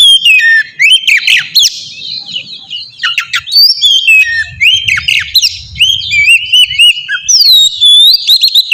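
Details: Lure song of an oriental magpie-robin, used to prompt a reply from another bird: rich, rapid medley of rising and falling whistles and harsh chattering notes, continuous throughout with a low rumble in the background.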